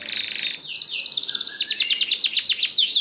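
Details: Canary song used to prompt other canaries to sing: a rapid high trill that shifts into repeated downward-sweeping whistled notes, fast and rolling throughout.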